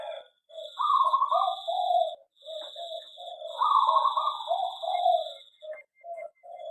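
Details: Zebra dove song from an aviary: two loud phrases of vibrating, trilled coos, each about one and a half seconds long and followed by short clipped notes, over a continuous high tone.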